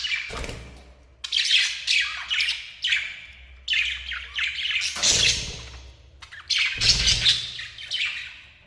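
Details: Pair of lovebirds chattering loudly in dense clusters of shrill, buzzy squeaks and chirps, bursts roughly every second or two, with occasional low thumps.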